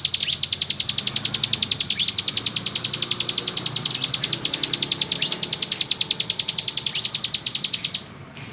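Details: Ciblek gunung, the bar-winged prinia, delivering a long ngebren burst: about eight seconds of rapid, machine-gun-like high chips, around three or four per second, over a soft low background hum.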